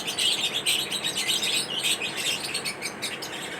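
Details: High, quick chirps from lovebirds at corn feeding time, roughly two per second in a loose irregular rhythm over constant background twittering.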